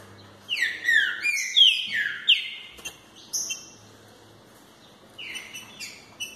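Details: Fibra-style song of a green-winged saltator: a rapid run of loud, clear whistled notes, each sliding downward, delivered about twice per second, ending in softer, higher slurred notes over light background hum.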